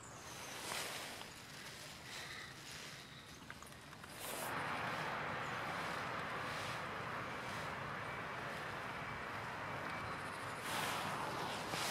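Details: Only outdoor wind rumble and broadband noise, with a few faint bumps and no clear animal voice.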